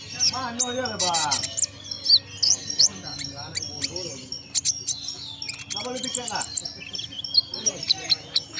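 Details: Konin singing vigorously, its song filled with imitated belalang emas phrases: sharp high chirps, rapid twittering trills and short whistled notes in quick bursts, while a person speaks near the start and again around six seconds.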